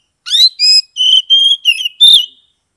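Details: Oriental magpie-robin, a caged bird from Kebumen, Central Java, in 'ngeplong' song used as therapy for reluctant singers: six loud, clear whistled notes, some held and level, others rising or slurred, within about two seconds.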